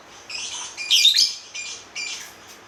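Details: Lovebird giving a few loud, harsh, buzzy chatter bursts, the strongest near the middle.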